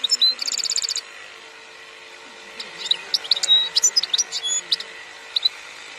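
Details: European goldfinch in 2021, kept by an Algerian bird breeder. It opens with a short rapid buzzy trill, falls quiet, then returns with a lively jumble of high chirps and twitters over a steady hum.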